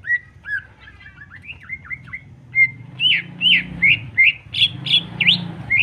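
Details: Greater green leafbird singing as a provocation to rouse other birds: twisting slurred whistles over a low steady hum, building into a loud run of swooping whistled notes about two per second.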